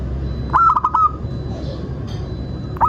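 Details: Actively singing local zebra dove, used as a lure so caged doves start calling: one rapid phrase of soft, rolling coos that trails into a longer held note, then a new phrase begins at the end, over low steady hum.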